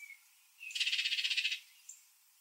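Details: Baltimore oriole feeding in a backyard where grape jelly is put out; one even, rapid rattle of about fifteen pulses lasting under a second, between faint high notes.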